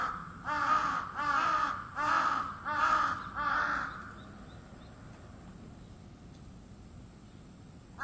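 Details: Crow that calls every morning from 4 a.m.: five harsh, hoarse caws in a steady series about 0.7 seconds apart, then a low background hum and a faint steady high tone.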